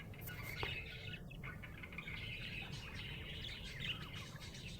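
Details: A happy budgerigar keeps up a soft continuous warble of tinny chirps and trills at an even pace, set against a constant low hum.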